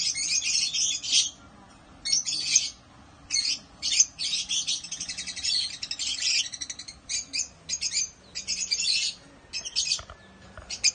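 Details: Breeding African lovebirds (Agapornis) chatter in harsh, buzzy high-pitched chirps, delivered in rapid bursts and stuttering trains, almost without pause, over a faint low hum.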